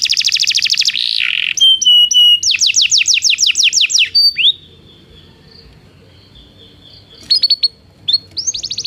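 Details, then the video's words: Belgian canary song meant for training silent canaries: a fast trill, a low slurred note, level whistles, rapid sweeps, then a near-silent gap with faint thin tones before brief high phrases return. "Canto de canário belga - treinamento para canários não cantores"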